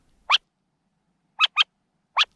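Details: A parent Burrowing Owl in sagebrush desert of the Snake River Birds of Prey area near Boise, Idaho, gives four short, harsh, rasping notes, the middle two paired, a distress call telling the young to stay down as a red-tailed hawk nears.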